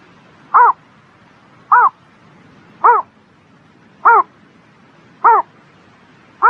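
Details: Bird on a spring morning giving short, arched, harmonic-rich calls, each under a quarter second, repeated steadily about once every 1.2 seconds, with quiet background hiss.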